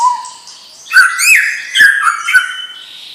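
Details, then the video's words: Young white-rumped shama from a champion line opening with a soft low whistle, then loud ringing upslurred and downslurred notes mixed with sharp clicks in a quick, varied phrase. "Murai Batu Bibit Trah Juara"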